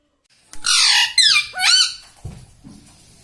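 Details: Indoor pet parrot that talks, saying words such as "mummy" and "papa": loud, harsh, shrill voiced sounds with sliding pitch in two or three run-together syllables, followed by a few quieter low thumps.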